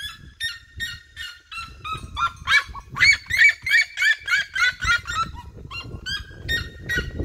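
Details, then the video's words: Red-legged seriema flock singing around a person in open countryside fields: yelping notes building from spaced calls into a dense, rapid run of overlapping barks, then slowing again, over steady low-frequency noise. "Fui CERCADO pelas SERIEMAS!!"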